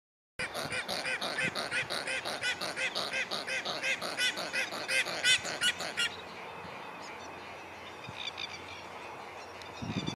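Tasmanian nativehen giving a fast run of harsh, rasping honks, about three per second for six seconds, then fading to faint background noise.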